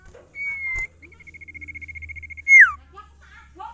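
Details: Sirtu singing: a long steady whistle, then a quick even trill of pulsed notes finishing in a bright downward slur, over a low hum and faint voices.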